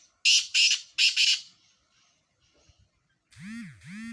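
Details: Sindhi black francolins, four birds in a calling contest, give three harsh, buzzy, grating bursts in quick succession, then a pause before two smoother arching, whining notes end the recording.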